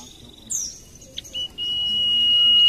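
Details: Common iora whistle, a long level high note swelling in loudness toward the end, preceded by a brief higher downslurred chirp. Used as a lure for birds that sing little.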